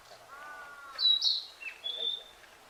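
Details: Narcissus flycatcher singing on Mount Rokko, a bright high whistled phrase followed by a lower slurred note and a thin whistle; a soft lower drawn-out tone is heard just before.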